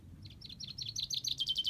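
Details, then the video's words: Common chaffinch song fragment: quick repeated high chirps accelerating and rising in loudness into a dense trill. "Chaffinch Bird song"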